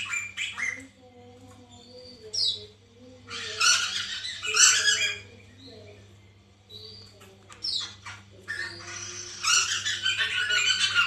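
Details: Captive-bird lure of white-crested laughingthrush: several bursts of loud, rasping, cackling chatter separated by quieter gaps with short sharp notes, a low wavering tonal sound and steady electrical hum in the background.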